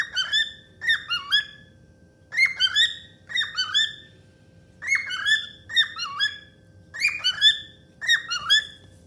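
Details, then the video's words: A happy female cockatiel sings bursts of bright, rising and falling whistles with harsh squawky edges, in phrases roughly every second, with no other clear sounds. "My happy bird sings"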